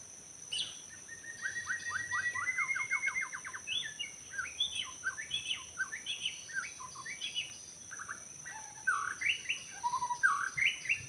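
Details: Forest white-rumped shama, wild bird recorded during trapping: a long even trill of repeated notes, then a burst of varied, jumbled whistles and chips, with steady insect buzz in the background.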